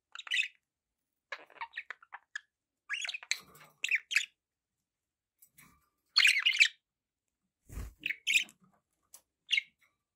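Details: Pet budgerigars giving scattered chirps and squawky warbled notes, with a louder rasping burst midway and one dull low thump.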